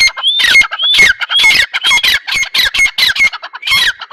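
Grey francolin giving loud, harsh, high-pitched squawking notes about twice a second, with a thin whistled tone threaded through the rapid, rattling series.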